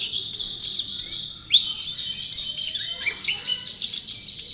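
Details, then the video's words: White-eye (pleci) champion songster pouring out high, sweet twitters, a few longer slurred whistles among rapid chirps, loud and steady. "Burung Pleci Juara Gacor"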